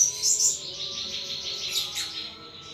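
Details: Caged pet thrush singing in the open, full-voiced ngeplong style: high, shimmering chirps and trills that fade after the first half second, with a steady low hum in the background.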